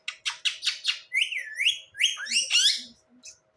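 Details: A talking pet Indian ringneck parakeet that is shown reciting Bismillah and religious and family words (Allah, Ammi, Abbu) gives five quick raspy notes, then high, warbling, speech-like whistled phrases that slide up and down.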